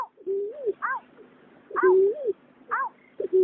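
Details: Male and female water rail calls from 2021: drawn-out low whistles that curve upward alternate with brief, bright, descending notes, against faint background noise.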